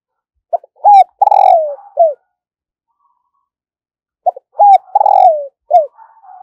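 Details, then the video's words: Decoy spotted dove trained daily for luring wild doves: two strong, close coo phrases of short notes, a long falling coo and an end note. A faint, higher, steady cooing from another bird trails after each phrase. "Luyện Giọng Chim Cu Gáy Mồi Mỗi Ngày"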